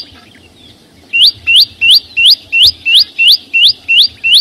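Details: Green flowerpecker song in nature without other noise: a second of quiet, then a crisp, evenly spaced series of rising whistled notes, about three per second.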